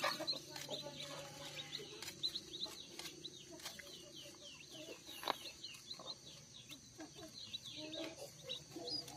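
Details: A brood of day-old village chicks just out of the egg, gathered on a farm. Constant shrill, falling cheeps overlap in a dense chorus. Occasional sharp taps and faint low voices come through.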